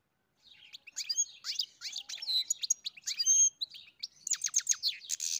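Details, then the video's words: European goldfinch in continuous song: quick, high, jingling twitters mixed with clear whistled notes and short buzzy bursts, building to a dense, rapid chatter at the end. "Καρδερίνα μελωδία (Goldfinch carduelis SINGING)"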